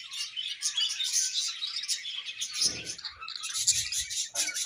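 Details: Budgerigars pairing give dense, rapid high chirping and twittering with scratchy warbled notes, running without pause, with a few soft low thumps in the background.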